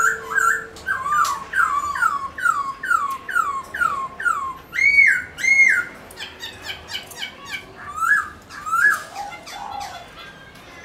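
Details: Black-throated laughingthrush kept as a cage bird, dancing as it sings: a steady run of falling, slurred whistles, then two louder arched notes, then softer twisting phrases.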